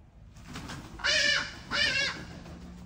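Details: Two loud, harsh, nasal calls from a Hadada ibis, each about a third of a second, spaced under a second apart, with faint earlier calls and low background noise.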